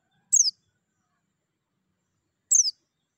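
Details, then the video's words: White-eye, for encouraging caged birds to sing: two single high, falling, slightly buzzy chirps about two seconds apart, with silence between them. "TERAPI PLECI MERANGSANG BUNYI CEPAT GACOR BUKA PARUH"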